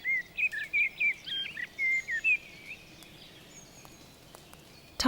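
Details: A common blackbird in dripping wet Vosges mountain forest after rain sings its melodic territorial call, a fluty, warbling phrase of clear whistled notes for about three seconds, then falls quiet; a sharp click sounds at the end.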